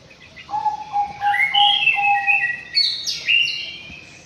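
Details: A caged white-rumped shama in an aviary sings repeated low whistled notes, then a rich warbling run of higher tones and sharp upward flicks near the close.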